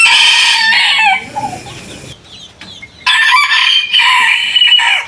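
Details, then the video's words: Rooster crowing, part of a compilation of varied roosters: the falling end of one crow, a lull with faint sounds, then a second full, loud, steady crow. "Rooster Crowing - Rooster Sound Effect - Gà Gáy - Gà Trống - Tiếng Gà Gáy - Con Gà Gáy"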